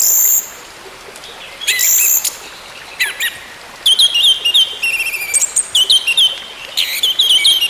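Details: Orange-headed thrush singing, played to help a silent bird gradually resume singing. Loud high bursts give way to a long, rapid, varied sequence of whistled and trilled notes that repeats in quick phrases over a background hiss.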